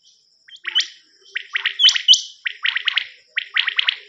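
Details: Common quail recorded on a cassette for hunting: crisp, high, rising chirps mixed with tight clusters of quick three-note calls, given in dense, overlapping bursts.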